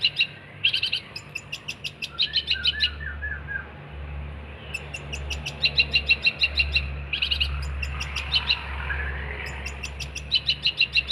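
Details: Long-tailed shrike (cendet), recorded for training songbirds, sings 'gacor' style: bursts of rapid high staccato notes alternating with pauses, with a low steady hum beneath.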